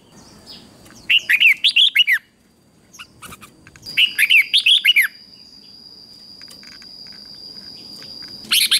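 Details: Red-whiskered bulbul giving fierce fighting song meant to train and excite other birds: two phrases of rapid warbled, up-and-down whistled notes, each about a second long, separated by soft clicks, with a thin steady whine and another short burst at the end.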